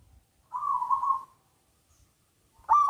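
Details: Local zebra dove (perkutut) with a big voice, sung to stir idle doves into singing; a smooth, rolling coo lasting under a second, silence, then the sharp start of the next phrase.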